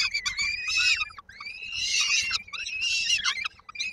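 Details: Peregrine falcon chicks in Koszalin, Poland, on 19 May 2022, begging as they await their mother bringing dinner: long grating wails about a second each, rising then falling, several overlapping voices.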